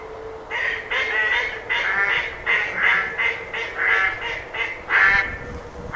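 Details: Ducks giving repeated nasal quacks, about two per second in an uneven series, over a faint steady background hum.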